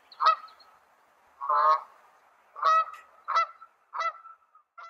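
A Mallard gives six harsh, nasal quacks over five seconds, each a short rasping burst at an uneven pace, in an otherwise quiet setting.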